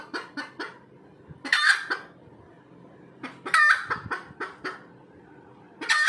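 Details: Red junglefowl hen calling after laying an egg: short clucks followed by loud, harsh, rising squawks, repeated in bursts about every two seconds.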